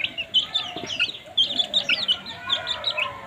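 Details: Several baby chicks chirping as they eat: dense overlapping high peeps, some sliding downward, nearly continuous across the clip with little background noise.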